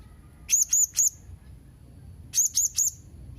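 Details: Two quick triplets of piercing, thin, high squeaks from a Blue-crowned hanging parrot, separated by a short silence.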